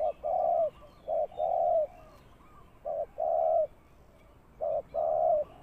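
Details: Spotted dove used as a ground lure for trapping, cooing in clear low phrases: a short note followed by a long drawn coo, repeated three times about every two seconds.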